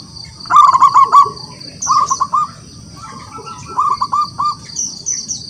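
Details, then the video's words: Wild local zebra dove singing hard to challenge rivals into song: three separate phrases of quick, stuttering coo notes, the first loudest, each fading slightly, while high thin bird chirps continue throughout. "Perkutut lokal alam gacor, suara memanggil lawan untuk bunyi"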